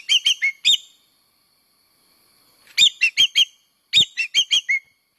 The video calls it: Suara pemikat Burung engkek keling layongan / common green magpie (Cissa chinensis)